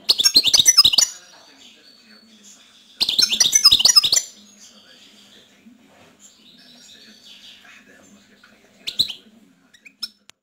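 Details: European goldfinch delivering two bright, fast twittering phrases about two seconds apart, followed near the end by a single brief chirp, over a quiet background.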